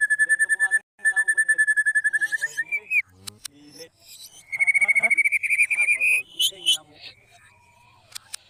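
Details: White-rumped shama long song, a lure to make other shamas sing; long runs of rapid, evenly repeated whistled notes, a pause with clicks, then another fast trill rising at the end.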